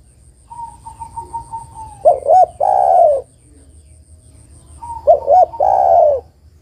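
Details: Two call phrases from a female spotted dove calling the male, each made of two short coos and an extended descending coo. A steady faint tone runs before the first phrase.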